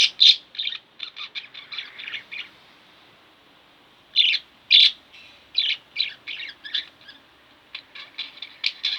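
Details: Two caged budgies at home, chattering in bursts of quick high chirps and short warbles, a silent gap of nearly two seconds, then more clustered chirping resuming.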